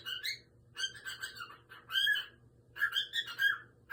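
A cockatiel chatters in bursts of bright, harmonic whistled notes, some rising and some warbling.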